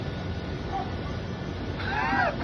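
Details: Male pet macaw at home calling to impress his female mate: a short, harsh, harmonic squawk bursts out near the end after quiet, with a steady low electrical hum and a person's soft voice nearby.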